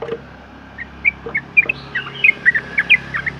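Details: Sooty-headed bulbul in a long, rapid singing sequence, used as a lure to get other bulbuls singing: bright, short whistled notes, about a dozen in quick succession, with a low background hum.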